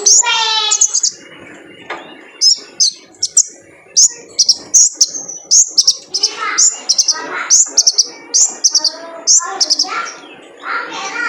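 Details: Male kolibri ninja sunbird, lure for training caged birds: opens with a lower buzzy harmonic note, then evenly spaced bursts of sharp, high chirps repeated roughly every half second.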